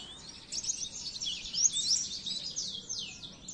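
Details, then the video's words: Oriental white-eye masteran for training caged birds. A continuous high, busy warble of blurred twittering notes rises and falls throughout, with light background hiss. "masteran burung pleci"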